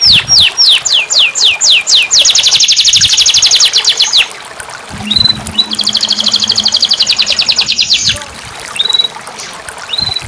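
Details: Canary in full song, used to stimulate silent canaries: quick descending sweeps run into long rattling high trills, separated by a short gap with a faint low hum and a few isolated whistles.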